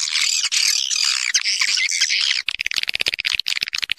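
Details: Swiftlet calls used as a lure to attract birds to roost: a dense, harsh chattering chorus at first, then a broken series of rapid clicking, twittering notes.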